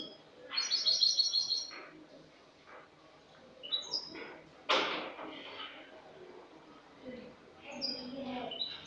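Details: A Spanish goldfinch from last year in clean song, cante limpio, 22 August 2018: one tinkling twittered phrase, then scattered short chirps, a sharp click near the middle and a final high jingle.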